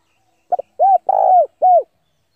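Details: A single cooing phrase from a spotted dove used as a decoy to lure rivals into a fight: a brief double note, then a rounded coo, a longer drawn-out coo and a final arched coo, in clean quiet.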